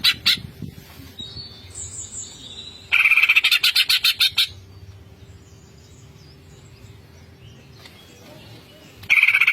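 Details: Greater green leafbird in full voice in the ngentrok style with full fill-in phrases: high clustered rattling bursts, one near three seconds with about ten rapid pulses, then a long quiet stretch and a fresh burst at the end.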